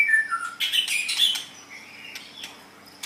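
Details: White-rumped shama song played as training audio for pet songbirds, with whistled slurred notes near the start and a loud burst of mixed chattering phrases, fading to quiet, faint notes.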